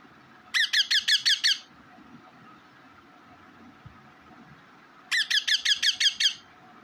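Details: A parrot kept as a pet repeats its natural call twice: two bursts of six to seven harsh, rapid squawks about four seconds apart, with low household noise between.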